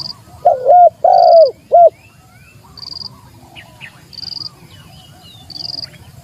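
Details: Spotted dove challenging a rival, the recording meant as a lure or master track: one deep, hollow three-note coo phrase with a short opener, a long swelling middle note and a clipped end. Steady high insect buzzes repeat behind it.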